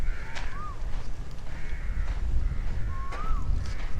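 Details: An Asian koel, possibly giving a seasonal mating call, in a deserted park maze at Forest City, Johor, gives two clear, rising whistled notes about three seconds apart, over heavy low rumbling wind and handling noise.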